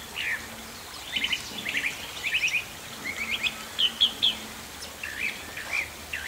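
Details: Chalk-browed mockingbird (sabiá-do-campo), a Brazilian bird, singing a varied run of short high chirps and warbled phrases in quick bursts, with steady background hiss and a faint low hum.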